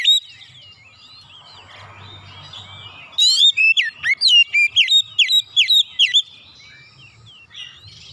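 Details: Oriental magpie-robin, 'nembak' singing while unloading 'isian' phrases. After about three seconds of soft, varied twittering comes a vigorous string of about twelve loud, clipped whistles, then quieter notes.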